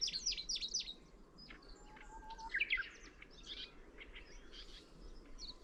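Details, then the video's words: Song of Middendorff's grasshopper warbler: a loud opening burst of fast, sharp chattering notes, then quieter scattered chirps and thin whistles over a soft rumbling background. "シマセンニュウのさえずり Chirping of Middendorff’s Grasshopper Warbler"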